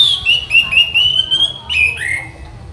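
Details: Orange-headed thrush, a master songbird being trained, delivering a steady string of rapid, clear whistled notes that climb gently, then a higher note and a rising slurred whistle, against faint low background hum.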